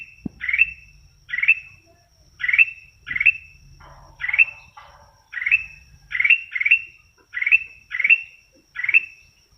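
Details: Sooty-headed bulbul repeating a short, rising, liquid phrase about every second, eleven times in steady rhythm, with a few soft scratchy sounds between phrases and a clean quiet background.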